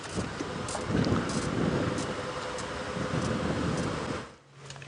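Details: A safari vehicle's engine rumbles steadily with wind buffeting at sunrise. Near the end the engine noise suddenly drops away to a quieter background.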